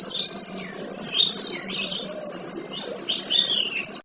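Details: A male kinoy, kept as a tutor for other songbirds, sings a lively mix of high chirps, short repeated ticks and slurred whistles that sweep downward, with brief gaps between phrases.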